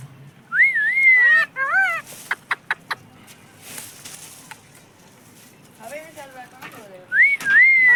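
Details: Pet parrot said to speak the words mummy and papa. Pure whistled notes rising and wavering near the start and end frame a few harsh harmonic squawks and sharp clicks, with quiet room noise between.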